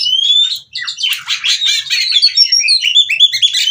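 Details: Female white-rumped shama, used as singing therapy for other birds, from Cirebon: a clear whistle then a busy torrent of chattering, warbled notes and short rising slurs.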